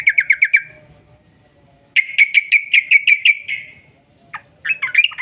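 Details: Sooty-headed bulbul delivering rapid rolling trills as a lure for its kind: a short burst of five quick notes, silence, then a longer evenly spaced run of about ten pulses, closing with a jumbled twittering phrase.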